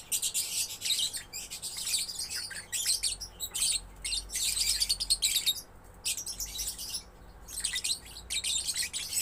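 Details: Young lovebird singing continuously in harsh, high chattering bursts. Dense scratchy twitters come in clusters lasting one to two seconds, separated by short pauses, over a faint steady low hum.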